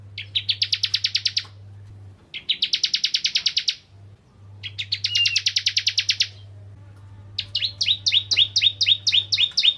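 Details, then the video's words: Crystal bar-winged prinia in full song, meant to provoke other prinias: dense buzzy trills of very rapid notes in three bursts, then a slower series of distinct downslurred chips, over a low steady hum. "Burung Ciblek Kristal Gacor Untuk Pancingan Burung Ciblek Semi Ciblek Gunung Dan Ciblek Kristal"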